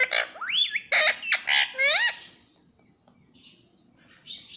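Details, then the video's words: Pet green Indian ringneck parrot mimicking the words mummy and papa: a fast run of loud harmonic syllables with swooping whistled notes in the first two seconds, then a quiet room with a faint later squeak. "mummy bolne vala parrot"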